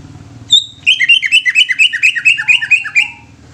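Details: Greater green leafbird opening with a long pure whistle, then launching into a dense, fast trill of chirping whistles, around twenty notes in under three seconds, over a faint low hum.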